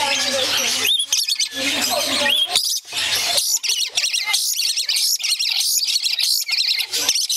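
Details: Male and female pet lories playing excitedly, the female urging the male to bite a hand: harsh, continuous screeches with rapid, grating squawks and overlapping chatter, and a low voice briefly in the first seconds.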